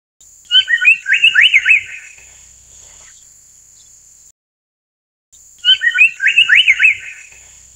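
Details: Amur paradise flycatcher, also called Asian paradise flycatcher. A clear phrase of chirped, whistled notes rising and falling comes twice, about five seconds apart, over a steady high thin hum.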